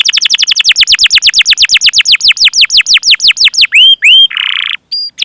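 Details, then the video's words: Canary song used to stimulate other canaries: a long even series of steeply falling high chirps, then a few upward looping whistles and a short raspy buzz. "Masteran Suara Burung Kenari Gacor Panjang cuit cuit Ngerol untuk Pancingan Kenari!"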